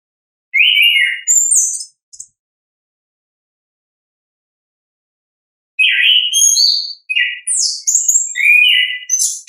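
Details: Natural ngeplong song of an orange-headed thrush, used to coax reluctant birds into singing: two short whistled phrases, about four seconds of silence, then a quick run of varied high chirps and slurred whistles.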